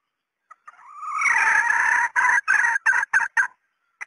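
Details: Hen red junglefowl giving a call used to lure males in: a rising, swelling drawn note followed by five short harsh bursts repeated about four per second, with a faint note at the end.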